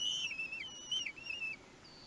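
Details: Common kestrel chicks one week old, begging while being fed at their nest on 31 May 2020: thin, high, wavering whistles, several overlapping, slurring downward and repeated in quick succession over about one and a half seconds.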